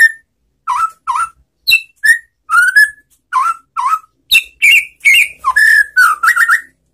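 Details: White-rumped shama in relaxed song, used to draw replies from shamas that have gone quiet after moulting: a varied run of rich, fluting whistled phrases, many with quick upward flicks, delivered in steady succession.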